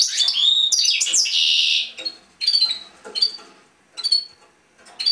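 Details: European goldfinch in a cage: a dense twittering phrase with a harsh buzzy note, then sparse single chirps spaced about a second apart.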